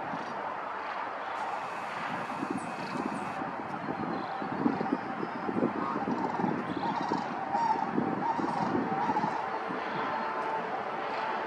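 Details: A large flock of wintering sandhill cranes in a field near the Cosumnes River, California, call together: a constant roar of overlapping rolling, trumpeting rattles with no pauses between calls.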